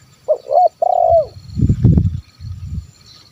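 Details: Zebra dove calling to lure wild birds: a few quick stuttered coos followed by a long, trilling drawn-out coo ending in a downward slur, then low rumbling thuds.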